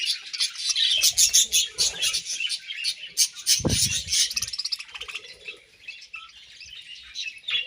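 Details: Pet budgies chattering as they eat grass: busy, rapid chirps pulse in quick bursts, with one brief low thud in the middle, then the twittering thins to softer, scattered notes.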